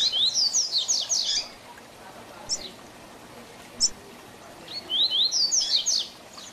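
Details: Tui Tui Zel Zel song of a double-collared seedeater for teaching young birds: a fast phrase of high twisting whistles, two isolated chips, then the phrase repeated about five seconds later.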